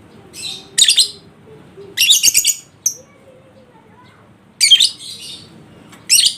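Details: Lovebird ngekek song meant to provoke a lazy bird into singing; shrill, high, rapid chattering bursts about a second long come in four groups separated by short pauses, with a brief squeak between.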